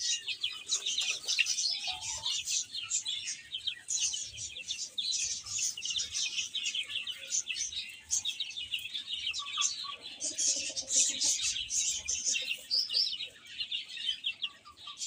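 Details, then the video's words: Flock of baby chickens eating and playing: continuous high-pitched chirping from many chicks at once, a busy unbroken chorus of thin peeps throughout, with occasional lower soft notes. "Cute Chicks Chirping Sounds"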